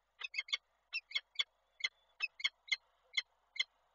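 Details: Peregrine falcon female calling at a nest in Koszalin on 28 January 2024 as the male visits, captured by a nest camera: about a dozen short, harsh, harmonic-rich notes in uneven pairs and singles over four seconds, with a faint low hum behind.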